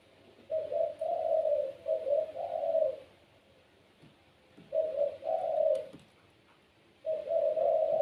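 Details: Puter pelung, a domestic spotted dove variety, cooing in strong gacor style said to get other doves singing. Soft, throaty phrases of three to four rolling notes, separated by quiet pauses of over a second, indoors.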